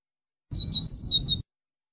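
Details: Brief European goldfinch phrase of five or six crisp high tweets, one slightly higher than the rest, over a faint low rumble.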